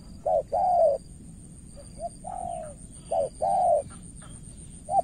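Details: Spotted dove decoy from Cà Mau, Vietnam, trying to lure an experienced rival: a few hollow coos, short and long, somewhat irregular with gaps, over a faint continuous high tone.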